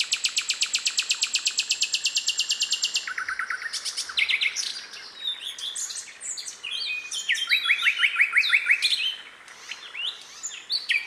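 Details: Little pied flycatcher singing in the wild, a fast run of even high buzzy notes repeated about three times a second, then varied whistled phrases and sharp chirps, with other birds calling around it.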